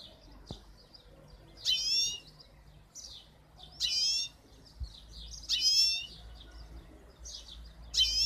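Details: Goldfinch hybrid from 2015 giving short bursts of twittering, trilled song phrases, each about half a second long and separated by pauses of one to two seconds, over quiet background hum.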